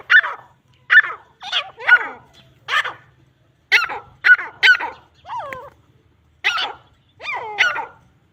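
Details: Grey francolins fighting give harsh, grating squawks, about a dozen short bursts over eight seconds, some doubled, with an uneven, agitated rhythm.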